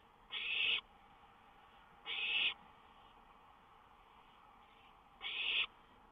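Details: Owl on a lookout in the small hours of 19 May 2013 utters three rough, breathy hisses, each under half a second, spaced about two to three seconds apart.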